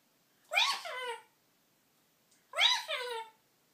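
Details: Pet female parrot talking indoors in a storage room: two short speech-like phrases with voiced harmonic syllables, separated by a second of silence.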